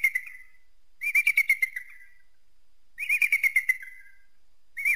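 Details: Eagle giving repeated bursts of rapid, slightly descending piping notes, one burst about every two seconds.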